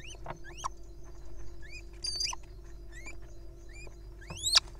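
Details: Little owl nestlings practising grappling and play fighting, giving scattered short rising squeaky notes with harmonics, some thin and high, amid scuffling taps and a steady low hum.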